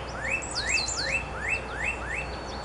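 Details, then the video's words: Birds singing cheerfully on a spring morning in a backyard visited by an eastern cottontail rabbit: a quick series of rising, slurred whistles about three per second, with higher chirps and twitters from another bird over a soft background hum. "Birds Singing on a Spring Morning"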